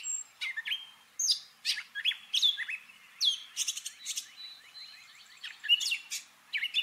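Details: Mimicking song of a Gray catbird, a slate-colored mimid: jerky medley of clear whistles, rising squeaks and rattly chattering phrases, none repeated, in a quiet setting.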